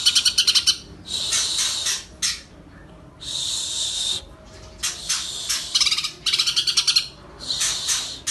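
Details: Greater green leafbird in full, active song, delivering dense high-pitched bursts: rapid machine-gun trills, harsh buzzy sweeps and chattering runs, repeated with brief pauses of under a second, no other clear sounds behind.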